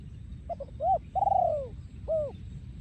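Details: Spotted dove, a breeding male recorded in Thailand in 2023, delivers one yon khu ang song phrase: two or three soft short coos, a rising-falling hoot, a long drawn descending coo, then a final arched coo, with low background rumble.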